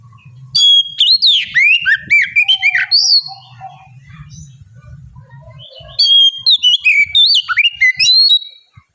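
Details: Two bursts of loud, varied whistling from an oriental magpie-robin singing as bait for other birds: quick slurred notes and sharp downswept whistles, separated by a quieter gap with low background rumble.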